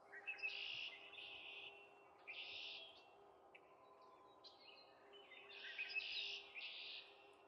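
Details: Canada goose goslings with their family, giving high, reedy peeps in short clustered bursts, about four per second at their busiest. The peeps are separated by quieter gaps over a constant low background hum.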